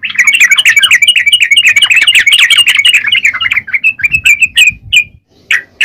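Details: Yellow-vented bulbul singing energetically: a fast run of chattering, bubbly notes for about four seconds, then sparser, separate whistled notes with short pauses.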